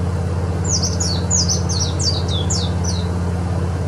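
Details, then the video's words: White-eye song: a quick run of about ten sharp, very high whistled notes, each slurring downward, delivered in under three seconds against a strong constant low hum. "pleci bustomi"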